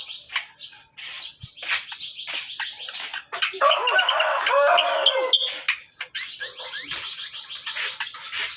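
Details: Hand-reared greater green leafbird singing a dense, varied stream of quick chirps and slurred whistles, rising to a loud, busy, scratchy passage midway before easing back into rapid twittering notes.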